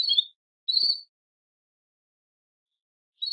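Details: Female Belgian canary calling to mate, giving two brief chirps close together and another after a long silence.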